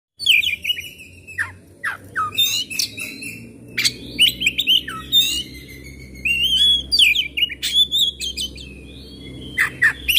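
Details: Oriental magpie-robin (kacer) singing energetically in a 'gacor' display: rapid, varied phrases of bright whistles, sharp chirps and buzzy trills, with short pauses between bursts over a low background hum.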